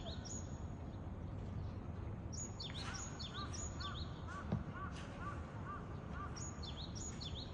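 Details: Japanese tit song recorded in Japan, with clusters of high, sharp, down-slurred repeated phrases at the start and end. A second bird gives a run of lower, rounded chirps in between, and a single click sounds midway over a low background hum.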